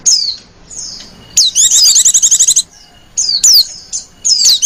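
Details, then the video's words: Female white-eye used as a lure for other white-eyes, giving sharp high descending whistled notes in short bursts, with one fast rattling trill of repeated chips, phrases separated by brief pauses. "Burung pleci betina lenjeh manja pemikat burung pleci"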